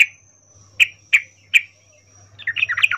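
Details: Female yellow-vented bulbul in breeding condition calling a male, a 'ngecuplik' mating call used as a lure: three sharp separate chips, then a quick jumbled burst of chattering notes, with a low steady hum behind.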